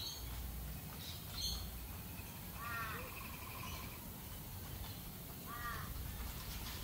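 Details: Australian galah producing two separate harsh, screechy calls a few seconds apart, each a short rasping burst with a slight downward bend, over constant low-pitched background noise and faint ticks.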